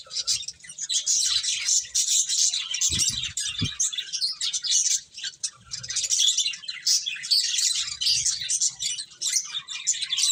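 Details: Finches eating and chirping together, a busy flock of high, bright tweets layered without pause, with soft low knocks and a brief dip in calling near the middle.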